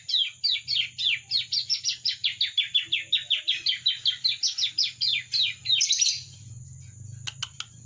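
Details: Juvenile bar-winged prinia practising its song: a long, rapid run of sharp, high, descending chirps, about three per second, for six seconds, ending in a squeaky flourish and a few clicks, with a faint steady whine.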